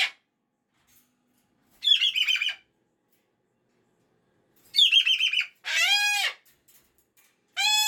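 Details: Pet cockatoo on a Monday morning, displeased the weekend is over, alternating two buzzy, stuttering rasps with a harsh scream, followed by the start of another scream.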